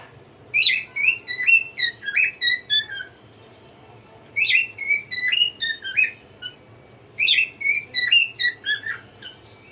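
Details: Pet cockatiel singing indoors: three repeated phrases of quick whistled notes, each burst of rising and falling chirps lasting about two seconds, separated by short pauses, with quiet room background.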